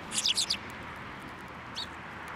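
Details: Sparrows flying onto a hand to be fed at a Tenmangu shrine, 21 December 2023: a quick burst of four or five high, sharp chirps, then a single chirp after a pause, over a steady background hiss.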